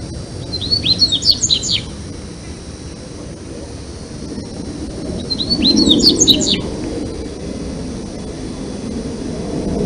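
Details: Dubois's seedeater (Sporophila ardesiaca) singing in Brazil: two short bursts of high, rapid chirps and downslurred whistled notes, each about a second long, separated by a pause, over low steady background noise.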